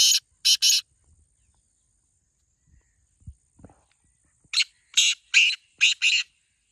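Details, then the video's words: Black francolin giving two grating notes, then a pause with faint thumps, followed by a brisk five-note phrase of loud, buzzy, rasping calls. "Black Teetar Voice/Kala Teetar ki awaz"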